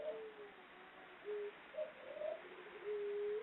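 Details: A captive female ringneck dove (puter pelung) from a breeder in Karanganyar, Central Java, gives long, soft, low, hollow coos in drawn-out phrases, with a slight lift on some notes, over a faint hiss.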